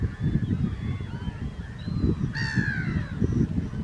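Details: Mediterranean gull, a second-calendar-year bird, on Vlieland, the Netherlands, 24 August 2024: one nasal, arched, downslurred call midway, with fainter calls of other birds and a constant heavy low rumble of wind.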